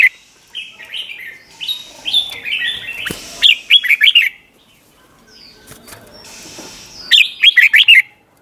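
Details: Doubled-style Red-whiskered bulbul song for teaching young birds: soft wandering whistled notes lead into a loud rapid warbling phrase, then a pause and a second bright bubbly phrase near the end.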